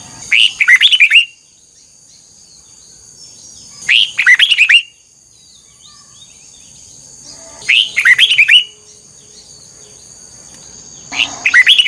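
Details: Twisted double-note song of an old wild-caught red-whiskered bulbul in voice training: four lively warbled phrases spaced nearly four seconds apart, each a rising note then rapid rolling whistles, a faint steady whine in the quiet gaps.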